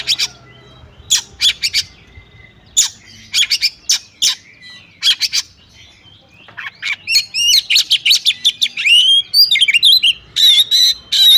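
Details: An Oriental magpie-robin female calls the male into vigorous song. Spaced sharp clicks and chips speed into a dense run of chattering notes and slurred whistles, closing with harsh rasping bursts.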